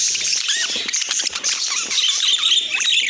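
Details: Budgerigars chirping: dense, high twittering chatter with short curling, rising and falling chirps standing out over a continuous bright hiss of many voices.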